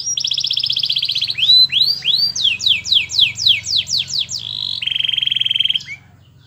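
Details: A lively canary's master song, meant to get other canaries singing: a high trill, rising swoops, a run of quick descending slurs, then a buzzy held phrase and a rattling roll before stopping, with faint low hum.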